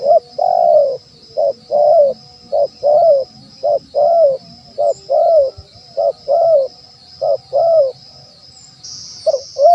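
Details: Lure call of a spotted dove for wild birds, a steady run of soft cooing notes, short and long alternating, roughly sixteen in ten seconds, with a thin constant high hiss behind.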